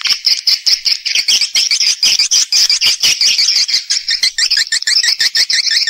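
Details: Swiftlet lure sound, used to attract swiftlets into nesting houses: a dense, continuous twittering chorus of rapid, sharp chirps overlapping throughout, with no other sounds.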